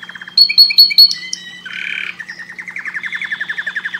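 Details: Breeding-stimulation canary song with sharp high chirps repeated about four times, a short whistle, a buzzy rasp, and then a steady rhythmic trill of rolling notes. A low electrical hum sits underneath.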